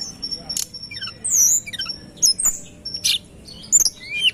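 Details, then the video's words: Sunda robin (tledekan gunung) singing energetically in a lure recording: sharp high slurred whistles and fast descending chirp runs in bursts roughly every half second, with a constant thin high tone underneath and a faint low hum. "Tembakan Rapat Burung Tledekan Gunung Gacor dor"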